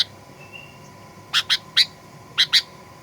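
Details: Sooty-headed bulbul used as a lure recording to provoke other birds into aggressive singing: five sharp, clipped notes in two bunches, three then two, over a faint steady hum.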